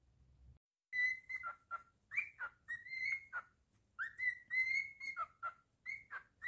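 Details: Male pet cockatiel singing indoors: a lively string of clear whistles, held tones broken by quick downward slurs and rising swoops, in phrases with brief pauses.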